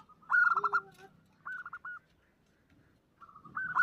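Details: Zebra dove hen calling to a male, used as a lure, omyokan style: a loud rippling coo phrase, then a shorter stuttered one, a pause, and a rising phrase starting again, over faint low background noise.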